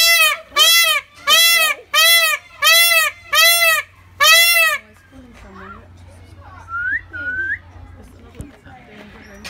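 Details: Indian peacock calling in response to a whistle: seven loud, nasal, strongly harmonic calls, each arching up and down, given in quick succession over about five seconds, followed by quieter rising whistles and faint background sounds.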